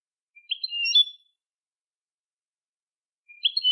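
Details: European goldfinch song used for training young goldfinches: a short, bright twittering phrase about a second long, then a pause and the start of another high, liquid phrase. No other sounds.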